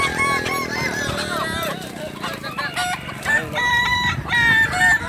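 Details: Balenggek roosters at a crowing competition in Danau Bawah, Solok Regency, on Sunday 6 October 2024. Crows break into stepped notes that jump between pitches, with several birds overlapping, music playing and people talking.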